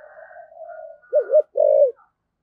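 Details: Spotted dove kept as a decoy, singing the 'thổ' style: a quiet droning hum leads into a double-peaked coo and one long, strong drawn coo.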